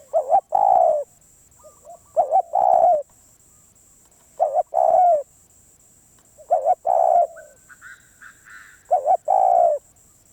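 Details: Wild spotted dove, said to be very stubborn, repeats its cooing phrase about every two seconds: a quick double coo and a long falling croo, five phrases in all. Quieter distant coos and a steady high electronic tone are also heard.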